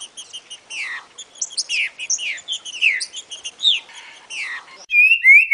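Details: Green-winged saltator song of the soft-mouthed type, used to train a young bird: a fast run of high, slurred, chattering notes, about four a second, ending in a few clearer rising whistles.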